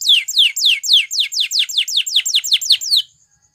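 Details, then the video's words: Training song of a Belgian canary, used to encourage other canaries to sing: about a dozen sharply falling whistled notes in rapid, even succession, then quiet. "Belgie Canary Seduces All Canaries To Sing / Canary Singing For Training"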